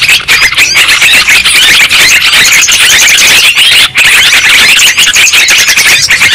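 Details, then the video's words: Yellow-vented bulbuls (trucuk) in a loud, unbroken chorus of overlapping bubbly chatter and sharp notes, many birds calling at once with almost no pause, used as a lure recording. "suara burung trucukan ribut"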